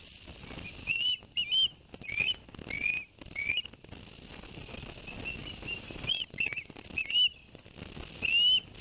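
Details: Ospreys at a nest in Barnegat Light, New Jersey, 11 September 2021, after the father delivered two fish to the young: clusters of sharp, upward-sweeping whistles, a quieter stretch, then more scattered high chirps.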